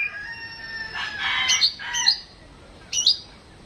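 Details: Household Oriental magpie-robin in a mental test, giving steady stacked whistled tones that turn into rough, harsh bursts, then two quick sharp high chips.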